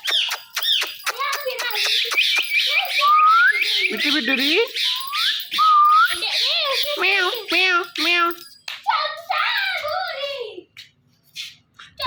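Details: Indian ringneck parrots, a male and female pair, calling indoors in the morning: dense, rapid chatter of clicks, warbles and quick rising whistles, with some lower wavering notes, almost continuous before thinning out at the end.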